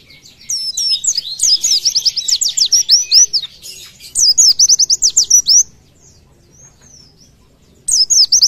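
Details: Oriental white-eye delivering a luxurious 'tembakan' song meant as a model for other birds: extended rapid chains of high whistled slurs in two long phrases, a silent gap of about two seconds, then a fresh burst.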